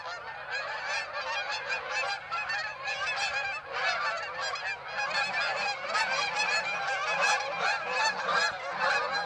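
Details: Canada geese recorded at Birds Hill on 26 September: a large flock honking nonstop, with dense, overlapping nasal honks and a continuous clamour, with no pauses.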